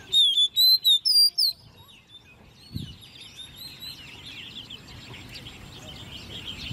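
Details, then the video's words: Caged, hand-raised ten-month-old Oriental magpie-robin in competition singing: a quick run of loud, clear whistled notes, some sliding up and down, repeated about twice a second for a second and a half, then only faint distant chatter. "Chú Choè Than Nuôi Non 10 Tháng Lồng Mỏ ''SIÊU DỊ'' Hót Đấu"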